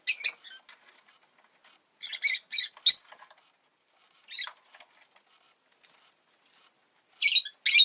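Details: Pet rosy-faced lovebird during egg-laying, harsh high chirps in clustered bursts, one downward-sliding note midway, and soft rustling or fluttering sounds between the calls.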